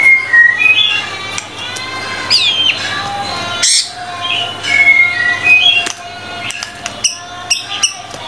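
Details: White-rumped shama (murai batu) singing vigorously in a tutor recording of 25 song materials: varied clear whistles, rising and falling slurs and short chirps in quick irregular succession, with a low steady hum beneath.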